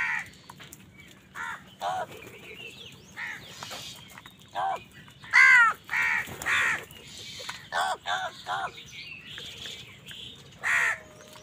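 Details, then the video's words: Crows calling while fighting other wild birds for food: harsh caws scattered through the clip, some single, some in quick pairs, with a steady hum behind. "Angry kawa ki awaaz"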